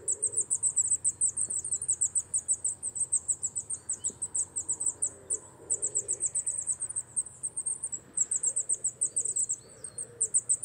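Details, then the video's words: Repeated bursts of fast, very high, thin notes from a coal tit (Periparus ater), grouped into phrases of several seconds with short breaks, plus faint other chirps. "Sýkora uhelníček, Coal tit, Tannenmeise, Zwarte mees"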